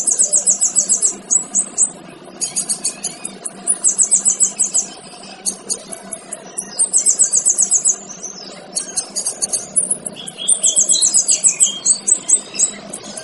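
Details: Male kinoy singing for use in training other birds: very high, rapid buzzy trills in bursts of one to two seconds, separated by short gaps and sharp chipped notes, over a low steady background hum.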